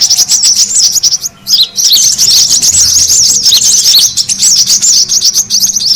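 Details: Brown-throated sunbird lure call to bring in birds: rapid, dense high twittering with a short gap early on, then steady streams of sharp chirps.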